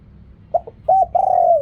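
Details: Short spotted dove coo, riak kham style: two quick soft notes, a clipped middle note, then a long, level, low coo.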